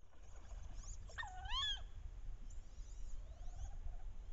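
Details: Wood duck hen calling loudly during the late-October mating ritual on a bayou, enticing drakes. One prominent drawn-out squeal that dips then rises sharply, with faint high whistles and softer notes around it over a low rumble.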